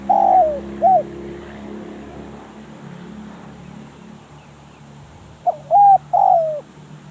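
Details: Spotted dove used as a decoy, with a falling coo and a short note at the start, then after a pause a phrase of level and descending hollow coos, all over a continuous low engine-like hum.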